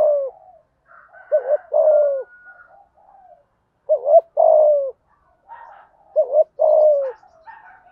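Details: Spotted dove, 'giọng thổ' voice, coos in 'thúc gù' urging fashion to draw other doves into calling: low double-note-and-falling-coo phrases with faint higher twitters and a thin whistle in the gaps.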